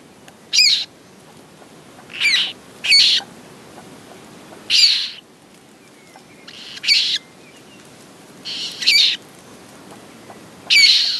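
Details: At a Common moorhen nest with eggs and newly hatched chicks: harsh, high, raspy bursts, each about a third of a second, coming irregularly every one to two seconds over a faint background hiss.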